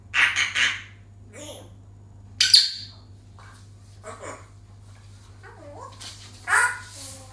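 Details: Pet African grey parrot giving harsh, broadband squawks: a double burst at the start, a sharp screech near the middle and another at the end, with quieter chatter and a steady low hum between them.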